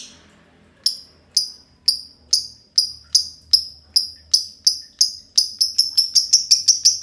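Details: Two green lovebirds singing a long ngekek together: after a quiet start, sharp high chirps repeat, about two a second, then quicken into a fast rattling chatter toward the end.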